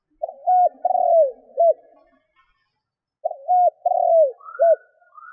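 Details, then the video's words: Spotted dove decoy calling to lure wild doves, giving two matching low coo phrases three seconds apart, each ending in a long falling burr and a short arched note; a faint rising whistle follows. "Tiếng cu gáy mồi thúc gù kích bổi Hiệu quả"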